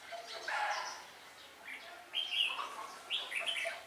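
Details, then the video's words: Decoy red-whiskered bulbul during trapping at Ba Thá, 17 December 2016: quick varied whistled phrases, three bursts spaced about a second apart, with a lower chattering note at the start. "Bẫy chào mào Ba Thá mau mỏ đảo giọng"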